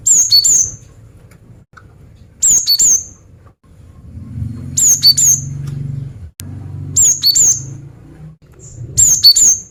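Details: Cinereous tit, a female calling persistently to attract males, gives five short high whistled phrases of two or three notes, roughly every two seconds, over a faint low hum heard mid-recording.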